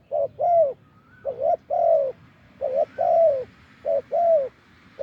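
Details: Spotted dove, a wild bird with a big voice, answering a decoy on a branch. Coos in steady paired phrases: a clipped note then a longer downslurred coo, repeated about four times in quick succession.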